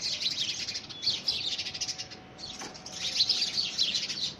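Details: Quarrelling house sparrows dispute ownership of a homemade nest box in early February 2017, producing two bursts of crowded, piercing chirps separated by a brief quieter moment.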